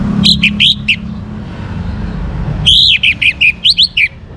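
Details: Song of a young orange-headed thrush, played to encourage other birds to sing: a short run of high, chippy notes, a pause, then a longer rapid string of varied sharp, warbled notes above low background hum.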